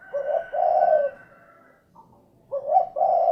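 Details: Spotted dove uttering two low cooing phrases, a short note then a long sustained coo, with a faint steady higher tone running underneath the first phrase.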